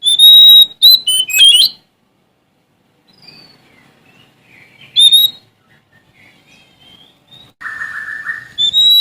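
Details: Sumatran Oriental magpie-robin (kacer) in full song looking for an opponent. Bright whistled bursts come at the start and the middle, separated by faint soft warbles. A buzzy, lower downslurred note follows near the end.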